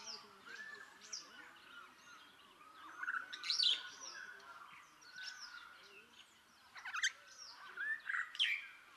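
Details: Rüppell's starling (Lamprotornis purpuroptera) in Kenya giving varied chattering calls, squeaky whistles and harsh chirps in irregular bursts, loudest around mid-clip and near the end, over a soft outdoor background.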